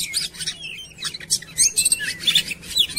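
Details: Short burst of Oriental magpie-robin song used to lure birds into singing: harsh chatter mixed with clear high whistles in quick clusters.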